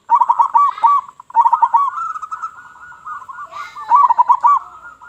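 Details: Vigorously calling local zebra dove with a big voice, used to attract other doves: quick stuttering coo phrases, then a longer rolling trill ending in rapid bubbling notes.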